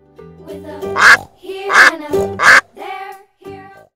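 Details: Domestic farm duck giving three loud, harsh, nasal quacks roughly every 0.7 seconds, then two softer, shorter quacks, over a light children's music backing.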